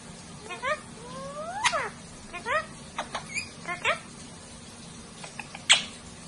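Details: Parrots chatting to each other, a long rising whistle, short bent squawks and clicks, ending in a loud sharp high note.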